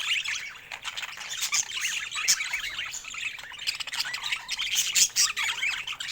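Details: Chirping pet budgerigars: rapid high tweets, squeaky warbles and occasional harsh squawks tumble together without pause for six seconds.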